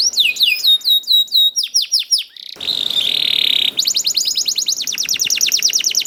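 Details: Canary youngster song to set other canaries singing: repeated looping whistled notes, a short buzzy roll, then a rapid high trill of fine repeated notes.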